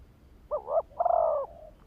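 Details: ['Spotted dove used as a lure for wild birds gives a single phrase: quick doubled note, then a sustained hoarse coo fading out, against a calm, low hum.']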